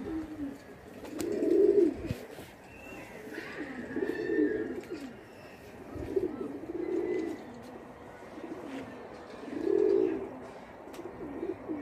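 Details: Playful Indian kagzi pigeons cooing: four or five rounded, throaty coo phrases spaced a few seconds apart, each rising and falling, over a soft background hum.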